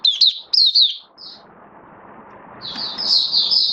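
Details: Oriental white-eye, a hobby songbird recorded on 19 September 2022 while building up form, gives quick high chirpy twittering bursts, then a pause, then a longer high warble rising in strength toward the end.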